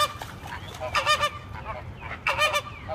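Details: American flamingo calling: nasal, goose-like honks in harmonic-rich bursts, two loud groups near one second and just past two seconds, with softer overlapping chatter between them and a low background rumble.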